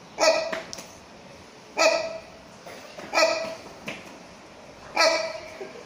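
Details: A rhinoceros hornbill (Buceros rhinoceros silvestris) at Chester Zoo gives loud, nasal, bark-like honks, four strong ones and a softer one, about one every one and a half seconds.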